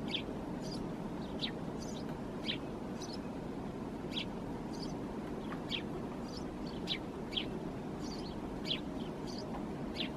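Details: Wintering Eurasian tree sparrow in Helsinki, Finland, January 2022, perched deep in a thicket and calling. Brief high chirps, some doubled, follow in an uneven series against constant low background hum.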